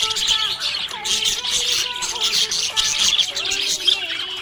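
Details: Contented budgerigar giving lively squeaky chirps and chattering warbles without pause, set against soft background music with sliding tones.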